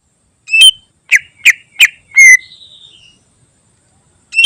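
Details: Greater green leafbird song recorded to tutor other birds: a short high whistle, then three sharp downslurred chirps about a third of a second apart, a loud whistled note trailing into a thin falling whine, then silence and a final chirp.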